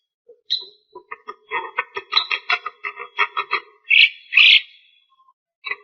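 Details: Long-running song of a Javan myna, said to be able to talk: a rapid series of clipped, nasal chuck notes speeding up, then two loud rasping squawks and a faint final note after a pause.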